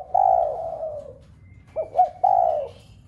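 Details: Spotted dove cooing, meant to stir other doves kept at home into cooing: a long mellow low coo, then two short quick notes and another drawn-out falling coo, with faint background hiss.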